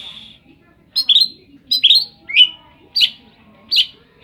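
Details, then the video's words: Oriental magpie-robin singing a song full of imitated phrases said to resemble the cetdet bird. A held whistle opens, then clusters of sharp, sliding chips come about every 0.7 seconds over a faint low hum. "Ful isian rasa burung cetdet"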